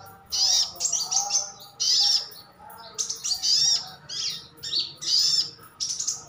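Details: Calls of a captive sunbird known locally as sogon, sogok otong or sriganti, used to make other birds answer: dense runs of high, scratchy chirps and bright upslurred whistles, separated by short pauses.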